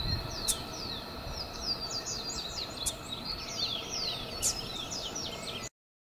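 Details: A Double-collared Seedeater at Vale do Quilombo, Gramado, Rio Grande do Sul, Brazil, on 20 October 2017 sings a fast, jumbled run of high, sliding whistled notes, several each second, over a steady hiss and faint background hum.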